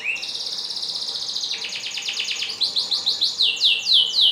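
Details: Canary song meant for training other canaries to sing: a long, fast, even trill of high buzzy notes, then quicker downward-sweeping notes repeated at a rapid pace, over a faint steady hiss.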